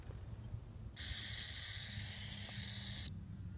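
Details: Burrowing owl (Athene cunicularia) gives a steady, harsh, high hiss for about two seconds, mimicking a rattlesnake's rattle to scare animals away; faint background rumble before and after.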